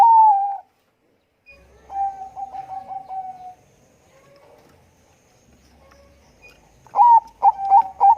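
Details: A thick-voiced Bangkok zebra dove calling keenly: a long coo fading away, a gentle rippling series of soft coos, a lull, then loud punchy hoots at the end.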